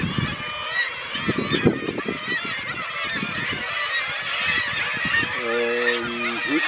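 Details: A dense chorus of Black-legged Kittiwakes at Ekkerøy, Norway, on 2 June 2018: harsh overlapping nasal cries and honking notes from many birds, with a lower drawn-out call near the end.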